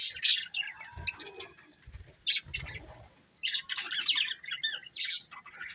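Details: Colourful budgerigars give scattered scratchy chirps and squeaky twitters, separated by short gaps, with brief wing-flutter sounds and low bumps mixed in.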